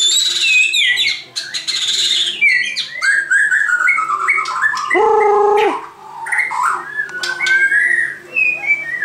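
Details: White-crowned shama singing a long, varied sequence: high descending whistles, rapid chips, a held lower note around the middle, then fluting rising whistles.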